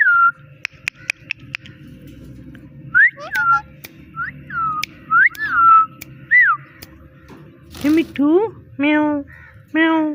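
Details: Talking pet parrot imitating "Mitthu" and a cat's meow: sharp clicks, then clear whistled swooping notes, ending in a run of nasal, voice-like syllables repeated about once a second.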